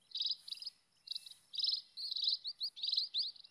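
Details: Scaly-breasted munia, wild, uttering grating buzzy bursts followed by a quick series of high upslurred whistles, several notes packed closely together.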